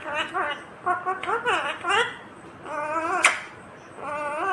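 An Indian ringneck parakeet talks in short, nasal, speech-like phrases with rising and falling syllables, broken by a brief sharp click, in a small quiet room.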